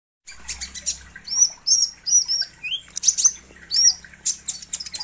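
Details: Selendang biru songbird sound used as a lure for trapping birds and as song-training material: high, thin chirps and sharp whistled notes, some rising and falling, in quick irregular bursts with overlapping twitters and a low hum beneath.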